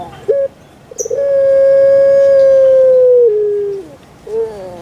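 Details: Pet puter pelung dove: a short lead-in note, then a very long, smooth, held coo that slides slightly lower and ends with a falling step. A soft rising note follows.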